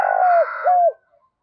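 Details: Spotted dove 'thúc' style call used as a trapping lure; two loud, low, drawn-out coo notes, each ending in a downward hook, over a faint higher background hum.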